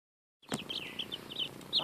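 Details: Nearly two-week-old baby chicks eating a strawberry; a brief run of high, thin peeps begins after a short silence, with a few soft pecking taps underneath.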